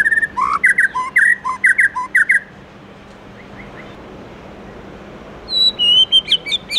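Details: Morning 'forest voice' song of a White-rumped shama: a burst of loud, varied fluty whistles for two seconds, several seconds of quiet hiss, then a fresh run of sharp high notes.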